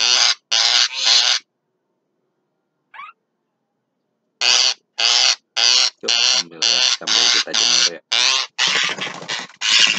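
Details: Javan myna singing at midday with a long run of loud, coarse rasping notes, repeated roughly twice a second. Three notes come first, then a pause with one faint note, then the run resumes.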